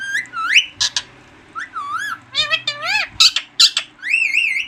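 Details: Green talking parrot: wavering whistled notes and warbles, squawky syllables, and bursts of harsh speech-like sounds in uneven rhythm.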